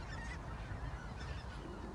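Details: Flock of geese in countryside outside Zutphen, Netherlands, in December, beside a meadow where rooks crack walnuts, honking together with overlapping harsh nasal calls over a low, steady rumble of wind or background noise.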